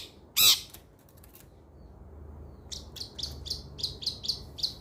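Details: Long-tailed shrike used as training material to get a shrike that has stopped singing to sing again: one loud harsh burst, a pause, then a run of rasping, buzzy notes repeated about four times a second.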